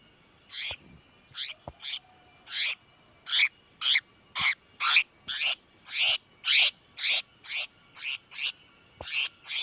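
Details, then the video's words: Bird distress call, played as a lure for trapping: harsh, raspy bursts about a third of a second long, repeated roughly twice a second in an uneven series, over a quiet background with a faint steady hum. "Tiếng chim tiểu mi đất kêu cứu"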